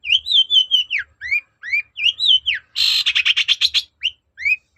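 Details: Long-tailed shrike (cendet) singing to provoke a reply: warbled whistled phrases and rising slurred notes, interrupted by a fast series of about ten harsh rattling pulses, then more rising whistles.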